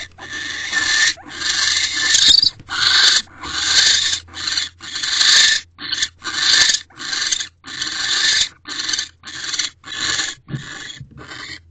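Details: Wild owl pair in a nest box mating on an evening at 7:47 pm, 15 December 2023; harsh hissing screeches, about one second long, repeated steadily with short gaps throughout.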